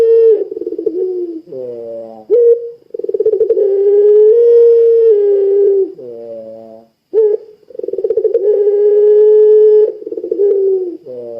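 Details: Repeated long coos from a puter pelung dove used to make other doves call: three drawn-out humming phrases, each with pulsed beginnings and rough low closing notes, separated by brief pauses.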